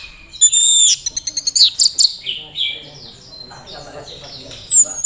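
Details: Mojokerto orange-headed thrush in teler courtship display, with a young handler: bright descending whistles and quick ticking notes run together into a warbled phrase, ending in thin high slurs.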